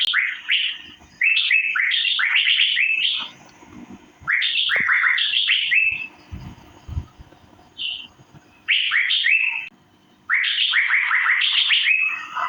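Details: Cucak biru, the Asian fairy-bluebird, chirping for mastering: long runs of loud rising chirps strung tightly together, about three per second, broken by brief pauses and a few low knocks.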